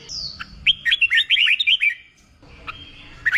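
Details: Red-whiskered bulbul being trained for contest singing, one short run of chirpy, fluty whistled notes followed by quieter scattered chips.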